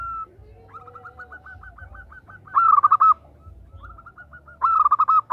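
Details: Calling female zebra dove seeking a male: a long string of soft slurred notes, then two short loud bursts of fast, clipped cooing pulses, over a faint low rumble.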